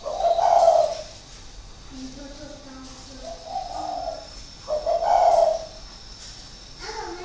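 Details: Cage-kept spotted dove decoy of six years from Ba Vì, Vietnam, repeating deep mellow coo phrases every few seconds, with faint lower murmuring and quiet human voices between them.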